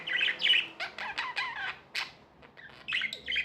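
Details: Pet budgerigars calling in a short burst of harsh, squawky chirps and wavering buzzy notes, several in quick succession, then a pause and a few more scratchy chirps.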